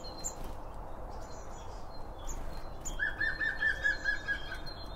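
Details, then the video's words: Birds at a feeder, recorded with a binaural microphone pair set near the feed. There are scattered high chirps at first, then a lower, rapid rattling trill of quick repeated notes for about two seconds, over a steady low hum. "BIRD FEEDING SOUNDS"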